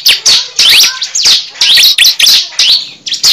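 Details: Cible call used as a lure for trapping birds: loud bursts of sharp, high chirps and quick down-slurred whistles, broken by brief gaps.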